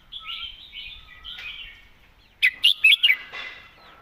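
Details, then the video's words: Red-whiskered bulbul delivering the clearly articulated 'mae bot' master song: quiet rippling warbles that build into four loud, rapid, liquid whistled notes, with a thin lower whistle from another bird in the background. "วางสำนวนชัดๆ"เดินเพลงแม่บท ชัดถ้อยชัดคำ"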